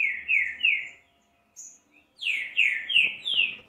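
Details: Green-winged saltator, played to warm up another bird, sings two phrases of full, downslurred whistles, each of three or four notes, with a brief quiet gap and a thin high note between.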